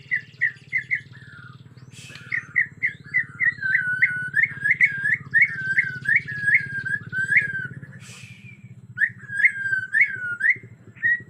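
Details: Agitated Bornean white-rumped shama in forest sound: a long, loud series of bright whistled notes, each swooping up and down, delivered rapidly for several seconds with a brief pause, over a continuous low droning hum.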